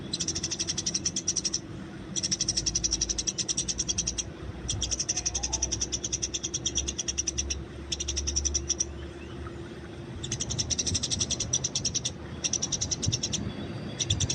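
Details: Wild Eurasian tree sparrow fighting, recorded for training: long bouts of fast, sharp, high chirping, each lasting a few seconds with short breaks, over a low hum and rumble.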